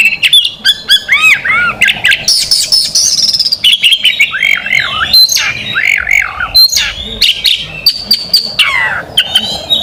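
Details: Magpie robin, a national competition champion, pouring out 'tembakan' song: fast, strident whistled slurs mixed with rasping buzzes and chattering notes in a continuous, energetic torrent.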